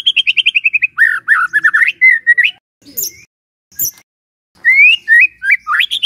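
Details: White-rumped shama in full song, a captive bird kept for songbird hobby; rapid trills of repeated notes, then varied whistled phrases rising and falling, with brief sharp high chips between bursts.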